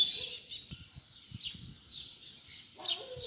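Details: Seedeater baderna song for tutoring young birds: continuous high warbling twitter with soft low thumps underneath and a brief lower call near the end.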